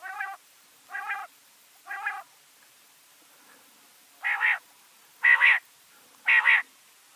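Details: Rain quail call series: six buzzy, harmonic-rich notes spaced about a second apart. The first three are softer, and after a short pause the last three come louder and fuller.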